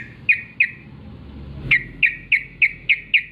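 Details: Wild sooty-headed bulbul in the morning giving short, clear downslurred whistled notes, two, then a pause, then six more in an even series roughly every third of a second; quiet low background.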